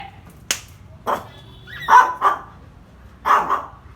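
A parrot talks in short, voice-like bursts, some paired syllables, after a sharp click.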